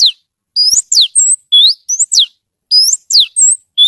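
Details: Oriental magpie-robin in vigorous 'gacor' song: loud, clear whistles sweeping up and down, given in short separated phrases with brief silent gaps, very clean.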